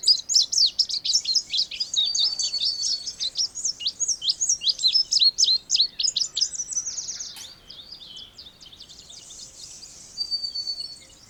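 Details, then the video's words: Indigo bunting (Passerina cyanea) song: a long series of high, rapid, slurred notes repeated several times a second for about seven seconds, then quieter, softer twittering and one thin drawn-out whistle. "Canto do Bandeira Índigo ou Estamenha Índigo"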